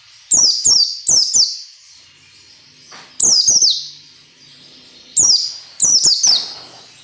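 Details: White-eye ngalas nembak song, presented as training audio for captive birds: sharp, very high bursts of falling notes, mostly in quick pairs, recurring every one to two seconds over a faint twitter.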